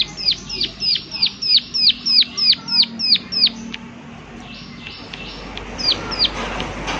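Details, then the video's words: A prinia rattles off around eleven crisp, high clicks falling in pitch, roughly three per second, in its 'klik klik' call; afterward softer chirps and a rising hiss of outdoor noise. "Prenjak Klik Klik Gacor Suara Alam Dan Isian || Prenjak Klik Klik Pasti Nyaut"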